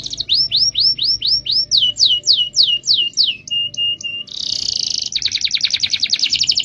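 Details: Canary rolling song used as a tutor recording: a series of rising slurred whistled notes, about three per second, then short flat tones, followed by a fast buzzy roll and rapid pulsed trill.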